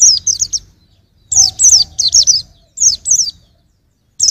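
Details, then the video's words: White-eye song used for training other songbirds: bursts of high, thin, downward-sliding whistled notes in quick runs of three or four, separated by short pauses, with faint low rumble beneath. "Kicau Pleci untuk Masteran"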